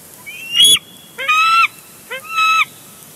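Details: Bald eagles on a Big Bear Lake live nest cam, June 2022. One brings a big fish and is tackled by another. One sharp, high cry, then two lower, steadier, drawn-out whining calls, each preceded by a brief grunt-like lead-in.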